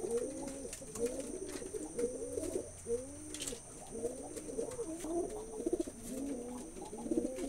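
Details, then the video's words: Pigeons coo in arched, rolling phrases repeated roughly every second, several birds layering low throaty notes with a thin persistent hum behind. "কবুতরের ডাক || পায়রা কবুতরের ডাক Pigeon sound effect"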